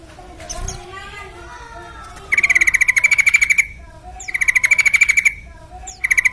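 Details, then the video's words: Lure song of a yellow-vented bulbul (trucukan) for making other birds sing: long, loud, rapidly pulsed buzzy chatters of about a second each, repeated back to back, preceded by softer warbled notes. "Pancingan TRUCUKAN Gacor Supaya Cepat Bunyi"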